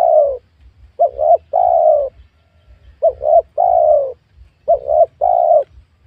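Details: Spotted dove recorded while luring wild doves on new oil palm land: about three full phrases of two short rising coos and a long, gently falling mellow coo, roughly every two seconds.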